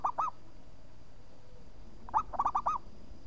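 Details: Local zebra dove singing actively: two short arched coos, then after a pause a rapid stuttering run of about five rising-and-falling hooting notes.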